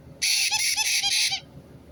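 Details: White-bellied caique giving one harsh, noisy screech of just over a second, pulsed into about five rapid rasping segments, loud and shrill against a quiet background.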